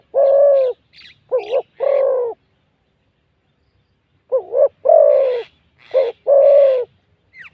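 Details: Spotted dove cooing at a decoying session, described as a wild bird with a big voice that sings well: deep, rounded coo phrases of three to four notes with a short quavering start, separated by a two-second silence.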